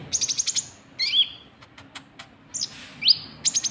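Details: Lure call of a white-cheeked bulbul for attracting rivals: a fast rattling series of short, high chirps opens and closes the passage, separated by two slurred whistles, one falling and one rising.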